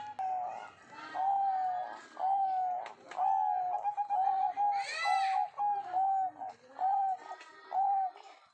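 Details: Zebra dove calling actively: a series of soft, slightly rolling coo notes at a steady pitch, repeated about once a second, with a brief higher rasping sound midway and faint room noise.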